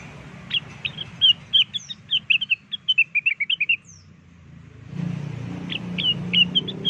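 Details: Lure recording of blue-winged leafbird song, a rapid string of bright whistled chirps lasting three seconds, pause with low background rumble, then a shorter resumed phrase of slurred whistles.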